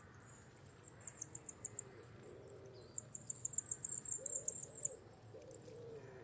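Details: Wallcreeper, a rare winter visitor on rock faces and in quarries, moulting toward breeding plumage: rapid, thin, very high ticking notes in a long run, about four a second, with faint low murmur beneath.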